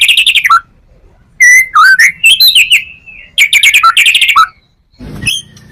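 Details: Full-repertoire song of a white-rumped shama, meant to lure other shamas: loud bursts of rich whistles and rattling notes, some sliding down, in phrases separated by brief pauses, ending with a short harsh note.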